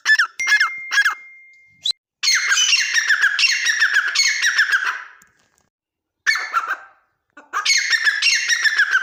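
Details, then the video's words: Bouts of grating partridge chatter separated by silent gaps, with fast pulsed notes and rising squeals, the calling stopping and restarting several times. "teetar voice | teetar ki awaz | teetar sound | dakniteetar ke awaz | teetar boli"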